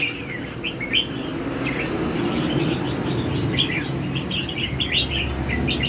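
Red-whiskered bulbul giving a run of short, bright, warbling chirps in quick bursts, over a steady low hum of background noise.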